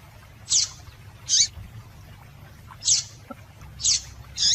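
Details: Female double-collared seedeater calling to stimulate males: five crisp, high, clipped chirps in under five seconds, unevenly spaced, with a soft low background drone.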